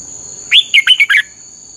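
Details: Short burst of red-whiskered bulbul training song, intense 'căng lửa' style: five quick, bright, warbling notes packed into under a second, with a steady high-pitched hum behind.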